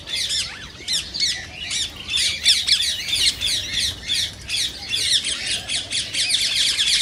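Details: Rose-ringed parakeet, a sound used to stimulate other parakeets to sing and mate: continuous shrill, rasping screeches delivered in fast, rhythmic series with little pause.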